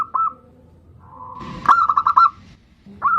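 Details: Zebra dove, bodronoyo type, used as a lure to set other birds singing; a brief coo opens, then a faint drawn note, a noisy burst and a quick run of clipped cooing notes, with another coo at the end.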